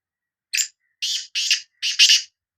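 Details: Full calling phrase of a Sindhi black francolin: five rasping, grating notes in quick succession, the final two run together and loudest, against a silent background.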